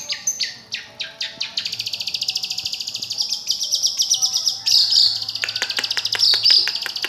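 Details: Long-tailed shrike song opening with separate chips, then a fast, even buzzy trill of rapidly repeated notes, ending in sharp clicks mixed with shrill, piercing tones.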